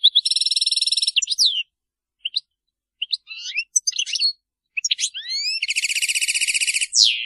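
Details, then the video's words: European goldfinch singing in the Maliki style, stated to be without errors: a long buzzy rattle, scattered twitters and slurred upswept whistles, then another extended rattling trill ending in a downslurred note. "تغريد الحسون المالكي خالي من أخطاء"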